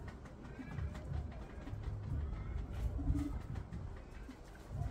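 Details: Male Common Bronzewing courting a female in a backyard, filmed on a phone: low rumbling growls in uneven pulses, with one short, deep, steady hum near the three-second mark.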